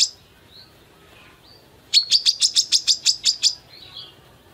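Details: Female Brown-throated Sunbird: after faint soft notes, a brisk burst of about ten sharp, high chirps in quick succession, then quiet again with a few faint trailing sounds.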